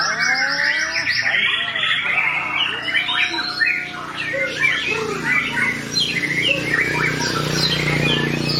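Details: Long rolling white-rumped shama song used as tutoring material: a continuous dense stream of bright whistles, fast trills and chattering notes with no pauses, over a steady low background hum.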